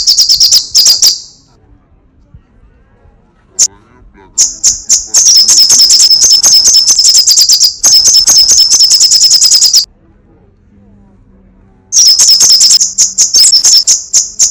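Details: Sunbird, locally called kolibri sogok ontong or srigati, in energetic crecetan chattering style: rapid, very high, dry ticking bursts repeated about three per second, broken by two silent pauses.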